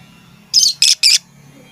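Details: Lovebird calling its companions with three loud, shrill, high 'tik tik tik' notes in quick, evenly spaced succession.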